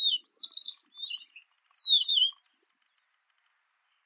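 Jungle babbler giving three bursts of high, squeaky, chattering notes over about two and a half seconds, then a thin high note near the end.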